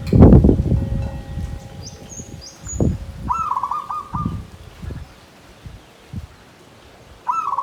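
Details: Perkutut, or zebra dove, kept in a bamboo cage, sings brief rolled coo phrases of the klarr kete kuk kuk pattern, one mid-clip and one at the end, amid loud low knocks and a few thin high chirps from other birds.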